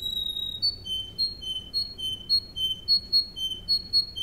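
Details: Russian canary (Serinus canaria) singing for training, alternating two clear whistled pitches in a regular repeated tour, each pair of notes coming roughly every half second, clean and tonal.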